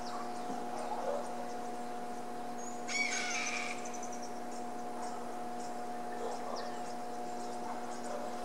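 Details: Harris's hawk giving an alarm call: one harsh, rasping burst lasting under a second, standing out above a steady low electrical hum and faint scattered ticking in the background.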